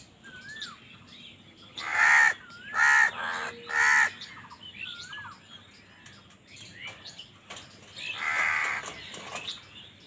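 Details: Three loud, rasping caws in quick succession from crows battling other birds for food, with a later, broader harsh call; looping whistles of other birds fill the gaps.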